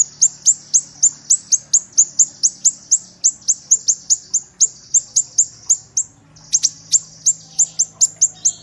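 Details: Kinoi song: a steady stream of thin, very high, sharply falling whistled notes, about three per second, with a brief pause near the middle. A faint low hum runs underneath.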